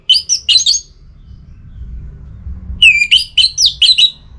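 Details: Caged orange-headed thrush in breeding condition, singing to challenge a rival. It gives three fast warbled whistles, a second of quiet with faint low hum, then a lively string of six high, slurred, rising-and-falling whistled notes.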